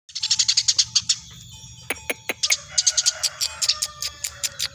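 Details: Very tame Eurasian tree sparrow chirping persistently: bursts of short, bright, high chirps in quick series, broken by a few sharp downward notes, with a faint steady tone underneath.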